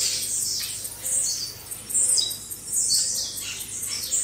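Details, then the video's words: A 'baderna' of blue-black grassquits, recorded to fire up caged birds, gives dense overlapping high buzzy sweeps that rise and fall in waves, with a steady low hum in the background. "Baderna de Tiziu Ótima Para Foguear"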